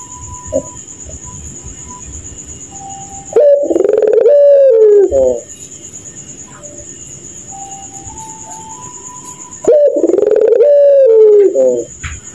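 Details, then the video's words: Puter pelung dove calling at night in its laughing manner: two widely spaced phrases of quick pulses melting into a long descending coo. Between them come faint steady tones and a constant high whine. "Burung Puter Tertawa Kuntilanak Jahat di Malam hari"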